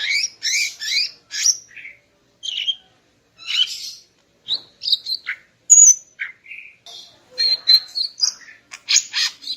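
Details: Greater green leafbird female singing in the morning to excite the male: varied bright chirps, buzzy notes and clear whistles in quick irregular phrases, including a thin high whistle and a lively closing flurry.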